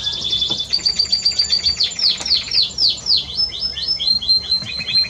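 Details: Spanish Timbrado canary singing, recorded 30 May 2017: a sequence of rapid high trills and repeated downward-sweeping metallic notes, the phrases changing every second or so, steady and quick throughout.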